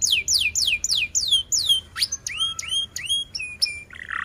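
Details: Canary song made of repeated downward-sweeping whistled notes about four per second, then rising hooked chirps and a short buzzy trill at the end.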